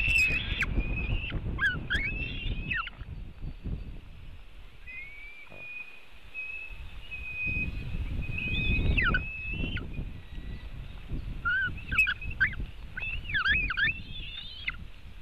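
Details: White-tailed eagles at a nest in Latvia, seen on a nest webcam on 4 July 2018 at 5:08 pm as one steals part of a fish from another. Bursts of high, slurred, yelping calls, some with rising and falling inflections, over low wind rumble.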